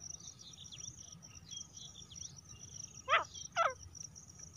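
A female grey francolin gives two loud, harsh, rasping notes about half a second apart over a steady high insect trill and faint chirps from other birds.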